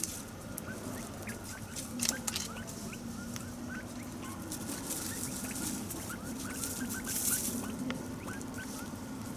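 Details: Taiwan hill partridge family of five foraging and chirping contentedly, Dashue Mountain National Park, Taichung, 18 January 2021: soft, short chirps scattered throughout, with a low steady hum and occasional rustling.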